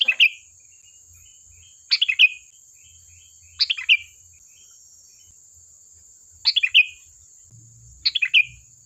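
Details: Sooty-headed bulbul singing briskly, meant to prompt replies from other birds: five bright bubbly phrases, each a rapid cluster of chirps sliding downward, at irregular intervals, with a steady faint high-pitched hum underneath.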